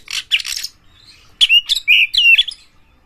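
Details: Oriental magpie-robin called fierce, whose song is said to rouse other magpie-robins: scratchy chatter at first, then a run of loud, clear, slurred whistles.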